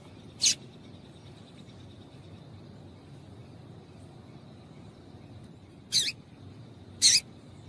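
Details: Yellow-bellied seedeater female, locally papa-capim, calling to set a male singing: three brief, sharp, high chirps, one early and two close together after a long pause, with a quiet steady background.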